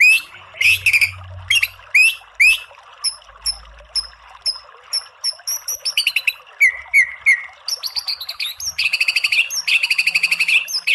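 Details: White-rumped shama in a training recording meant to provoke a bird into singing: loud, varied phrases of sharp clicks, high whistled slurs and fast rattling trills, changing pattern every few seconds and ending in a harsh buzzy run.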